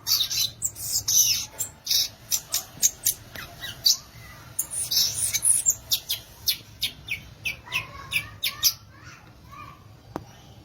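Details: Violaceous euphonia song made of long runs of sharp, high chips and crackling notes delivered in quick succession, with a few lower slurred notes mixed in toward the end.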